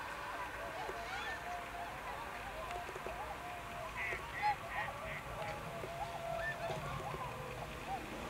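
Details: Tundra swans in Akita Prefecture, Japan, on 20 November 2020, giving soft repeated bugling and hooting calls from several birds, overlapping in a loose chorus over low background noise.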